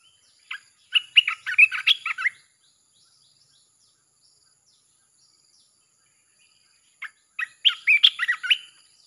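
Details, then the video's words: Red-whiskered bulbul cage bird singing in the nonstop chopping style, a recording played to lure wild birds; two loud bursts of quick chattering, warbled notes, each lasting about one and a half seconds, separated by a long silence. "เสียงนกกรงตาแดงEp.158 สับไม่หยุด!! เปิดล่อนกป่าเข้า100%"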